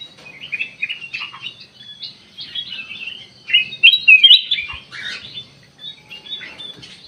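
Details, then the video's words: Lure recording of a sooty-headed bulbul meant to trigger an immediate response; busy, jumbled chirps and twittered notes, loudest in the middle, over a soft low background rumble. "burung kutilang emas buat pemikat langsung respon"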